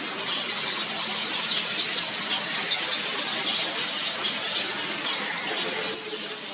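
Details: Early-morning yellow weaver colony of over 100 nests in one tree at Mombasa, Kenya, busy with nest building, repairs and feeding young: a steady wash of shrill overlapping chatter, with a rising squeal near the end.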